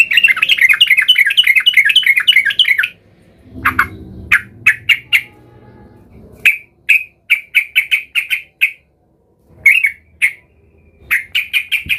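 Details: Sooty-headed bulbul, described as agitated and seeking a rival, used as a lure to provoke other bulbuls into singing: a rapid warbling chatter for three seconds, then a series of short, sharp chirped notes in irregular bursts with brief pauses.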